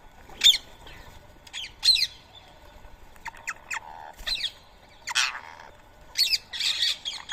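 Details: Rose-ringed parakeets at a morning feeding spot in Coimbatore, India, 7 AM on 31 March 2024, eating soaked boiled rice; harsh broadband squawks in scattered bursts, several calls overlapping, with quieter chatter between.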